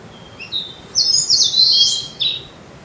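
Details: Blue-and-white flycatcher in a two-bird territorial contest, 25 April 2026, recorded with an ECM-M1 mic at its yearly field: a few thin whistles leading into a loud, rich, rasping warbled phrase.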